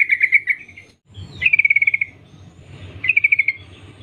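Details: Female yellow-vented bulbul summoning males: three quick rattling series of clear chirps, the middle one longest at about ten notes, with a faint hum underneath.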